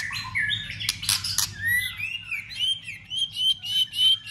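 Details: White-rumped shama fighting song with clicks and tail-flicking to excite other birds: a cluster of loud clicks early, then a series of bright rising whistled notes repeated rapidly toward the end.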